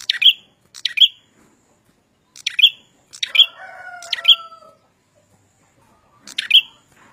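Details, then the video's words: Red-headed prinia in full song: crisp, high, two-part chirps repeated at irregular intervals. A separate long descending whistle runs midway, then the chirps resume. "suara burung prenjak Kepala merah gacor"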